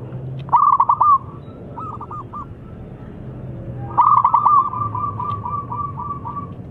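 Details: Frequently singing local zebra dove with a challenge song to draw opponents: a sharp ripple of clipped coos, a few softer repeated notes, a pause, then a longer, steady, fading string of rolling notes.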